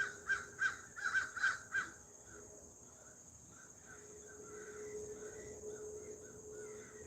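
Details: Wild crows, thought to be fighting, heard during a live hummingbird-watching stream after an hour of near silence: five harsh loud caws in under two seconds, then fainter distant calls over a steady high insect-like hum.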